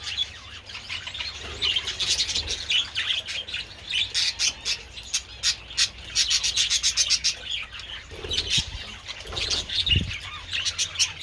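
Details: Budgies taking treats in the sun on 27 February produce rapid bursts of sharp, clicking, rasping chirps in quick series, mixed with high warbling chatter, plus a couple of low thumps.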